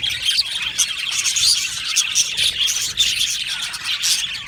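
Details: Budgies in an aviary, described as happy, chirping in a crowded chorus of high, fast twitters and squeaks that never stops.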